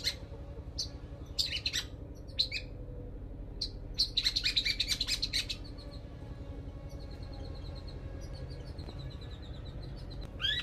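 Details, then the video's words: Long-tailed shrike singing sogon song material: short bursts of high, scratchy chirps, a fast twittering run in the middle, then softer repeated high notes, over a steady low hum. "Cendet materi sogon"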